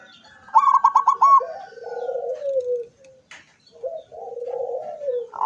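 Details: Zebra dove singing with its beak open on 24 September 2023: a quick run of five clipped, bubbling coo notes, then a slurred lower warble, a pause, and another low rolling phrase.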